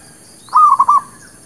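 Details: Zebra dove (merbuk kampung, perkutut lokal) lure song for trapping birds and new birds: one short phrase of three or four soft cooing notes near one pitch, the last slightly longer, against a faint steady high hiss.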